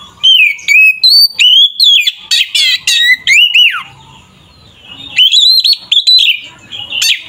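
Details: Oriental magpie-robin in lively, aggressive fighting-style song used to provoke other magpie-robins: loud whistled phrases around a steady pitch, rapid slurred notes and sharp upward sweeps, in bursts with a short pause midway.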